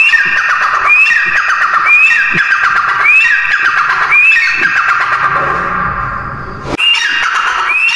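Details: Grey francolin calling in a steady series of sharp upslurred whistles, each followed by a rasping, descending flourish. The notes come roughly every second, with a brief break and a soft thump near the end.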